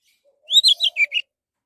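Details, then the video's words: Orange-headed thrush song used as a lure to get other birds singing: one quick burst of four bright, slurred notes, rising then dropping, over a faint, steady, low humming tone. "SUARA BURUNG ANIS MERAH PALING TOKCER"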